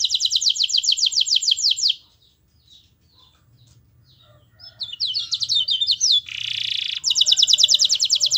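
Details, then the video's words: Canary master song meant to make other canaries sing; a fast trill, near silence, then scattered chirps building to a buzzy steady tone and another rapid trill, with low background hum. "MASTERAN KENARI GACOR Yang Lain Agar Ikut GACOR"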